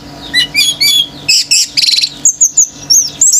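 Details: Pure male orange-headed thrush singing intensely, other birds joining in agitation; a quick run of sharp chirps, a buzzy trilled burst, then a series of bright high whistled notes rising and falling.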